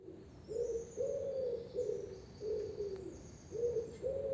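A common wood pigeon gives a soft, husky cooing phrase of about six low hoots, some short and some drawn out, with faint high bird notes behind.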